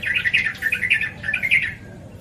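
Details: Yellow-vented bulbul (trucukan, merbah cerukcuk) singing a quick run of bubbling, chattering notes in short warbled phrases that fade after under two seconds, with a faint low hum behind.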